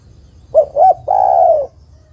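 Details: Female spotted dove calling to the male: one clean phrase of two short rising notes followed by a long, hoarse coo that slowly falls in pitch.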